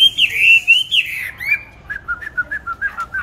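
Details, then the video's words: Caged songbird bought 19 May 2020 gives several rich, strong whistled phrases, then a rhythmic string of short, lower chip notes repeated about twice per second. "Chăm chim đều tay ,cám ổn định hót mọi địa hình ,mọi giờ giấc"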